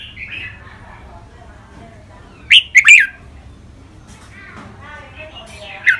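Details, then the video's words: Red-whiskered bulbul kept caged, one of two birds heard in a training-song recording with mae bot and nap dok styles: soft warbling at the start, a loud three-note bubbly burst midway, then quieter chatter and a final sharp note. "นกกรงหัวจุก เสียงร้องเล่นริกเบิ้ล ลากหวาย แม่บท นับดอก"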